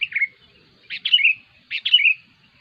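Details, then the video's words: Sooty-headed bulbul singing noisily, for use in luring and training its kind: three short phrases about a second apart, each a pair of quick notes sliding down into a brief whistled trill, in quiet surroundings. "SUARA BURUNG KUTILANG RIBUT"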